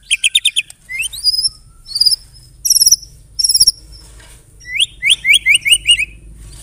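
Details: White-rumped shama song filled with imitated canary and cililin notes: rapid high trilled bursts, sharp upswept whistles, and a closing series of repeated descending chirps, with low background hum.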